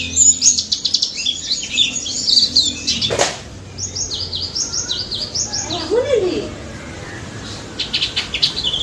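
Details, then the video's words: White-eye (pleci daput) song used to prompt silent white-eyes to reply: bursts of high twittering chirps broken by a short lull, with a sharp knock and a brief lower swooping sound midway. "BURUNG PLECI DAPUT GACOR NGALAS NEMBAK"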